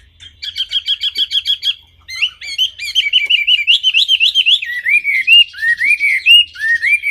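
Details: Wambi singing: a burst of short, identical ticking notes, then a lively series of upward-flicking whistled notes that gradually drop in pitch toward the end.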